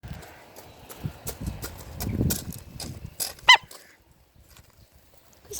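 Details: Rooster with the hiccups: one sharp, short, nasal honk-like hiccup about halfway through, set among murmuring voices and rustling handling noises.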